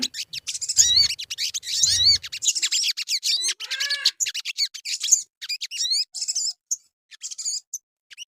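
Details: Sogon bird singing as a lure to prompt other birds: fast high chirps and downslurred whistles, busy at first and thinning out toward the end.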